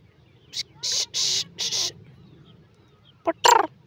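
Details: Free-living Black Francolin giving a harsh, grating phrase of four or five rasping notes, then two louder scratchy notes after a pause; a low hum runs underneath.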